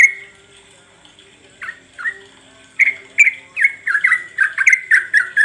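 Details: Sooty-headed bulbul calling, used as a lure to draw song from other birds: a couple of spaced chirps, then a rapid, uneven series of bright, bubbly notes running to the end.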